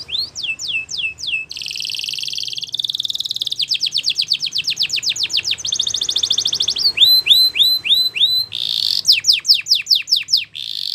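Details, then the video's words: Spanish Timbrado canary training song in alternating tours: falling whistled sweeps, buzzy sustained trills, fast rhythmic chopped notes and rising upslurred whistles, loud and continuous over low background hum. "Canary Singing Bird Sounds"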